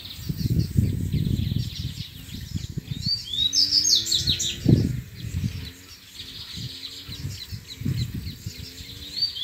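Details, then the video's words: Wild double-collared seedeater singing the grego song style in competition with rivals after being lured; a burst of quick, twittering, high warbled notes midway, over heavy low rumbling background noise. "COLEIRO GREGO NA NATUREZA DISPUTANDO CANTO"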